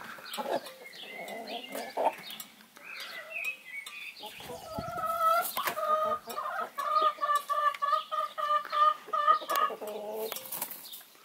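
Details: A broody Brahma hen, off the nest for its daily break to empty its bowels, eat, drink and preen, gives low, throaty clucks, then a steady run of nasal, slightly rising clucks about three per second, with faint rustling behind.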